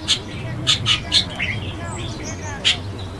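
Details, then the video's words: Chestnut-tailed starlings giving sharp, high squeaky chips, several in quick succession and then one more after a pause, with soft chatter and low traffic rumble behind. "栗尾椋鳥/Chestnut-tailed Starling"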